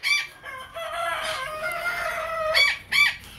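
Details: In the late evening, a Naked Neck rooster gives a long, hoarse, drawn-out crow that holds its pitch and tails off, followed by two short, harsh squawks.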